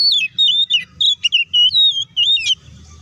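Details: Provocation song of an oriental magpie-robin, meant to make other birds respond fast and angrily: a continuous stream of bright, high whistles with quick downward slurs and warbled twists, ending abruptly into low background rumble.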